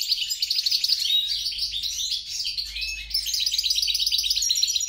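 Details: Song of a European goldfinch × grey-crowned goldfinch hybrid: bright, jangling twitters and trills pouring out almost without pause, high and tinkling, with a faint low hum beneath.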